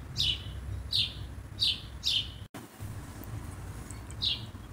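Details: Common blackbird scolding: four quick, sharp, falling chips spaced under a second apart, a short dropout and silence, then one final chip, with a soft low hum underneath.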